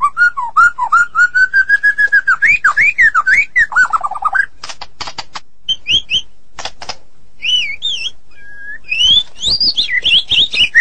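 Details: Gacor-style singing by a White-rumped shama of the Medan type: a rapid run of evenly spaced rising notes, then scattered clicks and looping high whistles.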